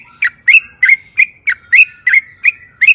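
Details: Yellow-vented bulbul calling energetically as a lure: crisp chirps with short whistled tails, repeated roughly every third of a second in a quiet setting.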